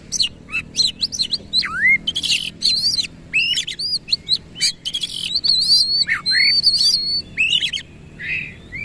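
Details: Oriental magpie-robin in lively 'gacor nembak ngerol' song with tail fully fanned: long varied stream of clear whistles, dipping and rising slurs, buzzy notes and a sustained wavering high trill.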